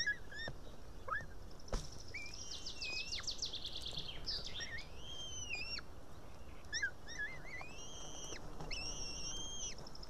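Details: Young female white-tailed eaglet begging on a nest in Estonia, June 2018, evening, too young to tear its fish: drawn-out high whistles, a rapid stuttering series of notes, then several level whistles ending with a downward flick.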